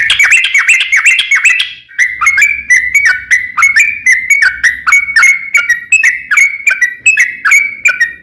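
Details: Sooty-headed bulbul in long rapid song, recorded as a lure to make other bulbuls sing: a fast, jumbled opening flurry, then a long steady series of whistled notes with crisp onsets, slowly rising in pitch.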